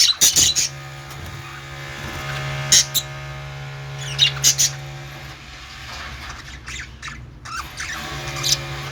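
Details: Budgerigar giving sparse sharp chirps and squawks, a few isolated bursts with quieter gaps over a low hum.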